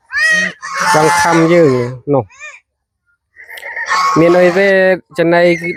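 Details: Village farm geese crowding in at evening feeding on banana stem and rice bran: a dense burst of honks dropping in pitch, a short gap of near silence, then two more honk bouts.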